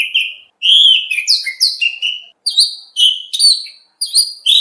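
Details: Rich, varied whistled phrases from an oriental magpie-robin, recorded as a training song for bird contests, with slurred high notes and chirps in brisk alternation.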